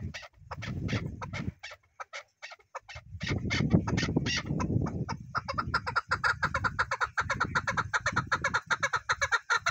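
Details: Chukar partridge giving quick repeated clucks, partly masked by bursts of low rumbling noise, then a steadier, denser run of ringing chuk notes in the closing seconds.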